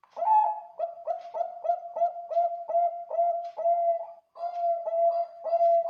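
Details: Zebra dove of the Bangkok type with a big voice, used as a lure to provoke other doves to sing: a mellow, low cooing phrase of short notes repeated roughly every half second, with faint higher clicks.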